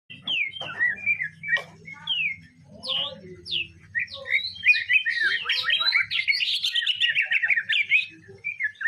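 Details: Greater green leafbird singing a song filled with imitated sparrow phrases (isian gereja): varied whistled and chirping notes, some slurred and descending, building into a dense rapid twittering burst near the end, over a steady low hum.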